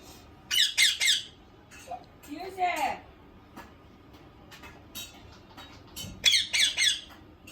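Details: A talking Indian ringneck parrot gives harsh, grating squawks in quick bursts at the start and end, with a softer, voice-like warble in between, all in a small room.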